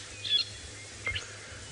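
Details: Fork-tailed Drongo on a treetop at sunrise, about 6:30 AM, May 3, 2018, Sabi Sand near Kruger Park, South Africa: two brief, high, sharp chirps about a second apart over steady hiss and low vehicle engine rumble.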